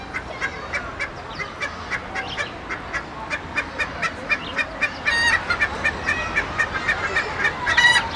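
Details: Hens in a poultry yard giving a busy stream of short clucks, several birds overlapping, growing louder with squawky notes after five seconds.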